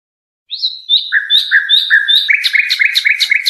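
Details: European goldfinch song for teaching young birds: after a half-second pause, bright liquid twittering starts with clear whistled notes, then quickens into a rapid run of buzzy, tinkling chirps that carries on to the end.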